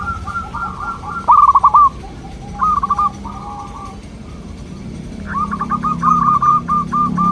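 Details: Local zebra dove, singing so that local doves answer back: a run of beaded notes, a loud rolling trill, softer purred phrases, and a closing rapid bubbling series of notes.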